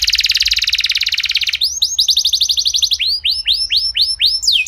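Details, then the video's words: Canary song used to get other canaries singing: a long rapid buzzy trill, then evenly spaced downward-curving chirps slowing toward the end. "Kenari Anda Bisa Gacor Seketika Dengar Pancingan Kenari Nembak Joss Ini"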